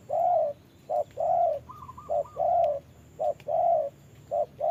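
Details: Spotted dove decoy facing a wild bird during rain: repeated low coo pairs, each a clipped note then a longer soft hoot, with a brief run of higher rapid notes from a second dove midway.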